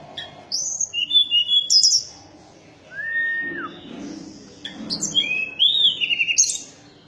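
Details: Mountain tailorbird giving high, piercing whistled notes in quick bursts, with a lower drawn-out slurred whistle in the middle and a faint low murmur in the background.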